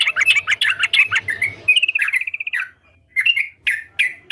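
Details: Sooty-headed bulbul singing actively: dense scratchy chatter, then a clear rattling trill of evenly spaced notes, followed by a few separate upslurred chirps after a short pause.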